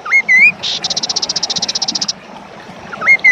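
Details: Kaso kaso bird recorded for training other birds and luring them to sing: rising whistled notes, then a fast, buzzy, pulsed rattle of about two seconds, and whistles again at the end.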